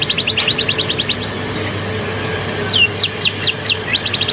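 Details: Caged canary trained to imitate Bar-winged prinia, singing while sunbathing after a bath: rapid high trills of sharp clicking notes, then a run of separate rising upswept whistles and another fast trill, over a steady low hum.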